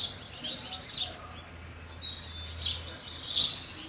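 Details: House sparrow chirps come in quick bursts, sharp high tweets clustered at the start and again in the last half, with a steady low hum in the background.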